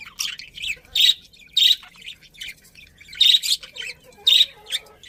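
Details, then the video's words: Budgerigars calling in short, loud, raspy squawk-chirps roughly every second, with softer chatter between the bursts. "Cute Birds Chirping Sounds #Beautiful Budgies"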